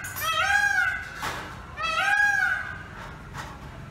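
Two loud, nasal, wailing peafowl calls, each about a second long with a rising-then-falling arch, roughly a second apart, then a short fainter burst.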